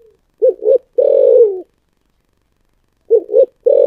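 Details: Spotted dove cooing in the 'giọng thổ sấm' voice. Two short notes lead into a long descending coo, and after a quiet gap the same opening pair returns.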